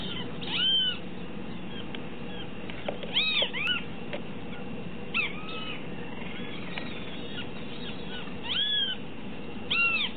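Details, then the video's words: Great kiskadee giving loud, arched, ringing call phrases in short bursts roughly every two to three seconds, heard over a steady rushing background noise. "Benteveo común/Great Kiskadee"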